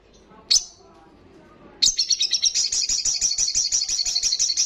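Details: Olive-backed sunbird singing loudly: one sharp high chip, a pause, then a rapid steady trill of high piercing notes about three per second continuing to the end.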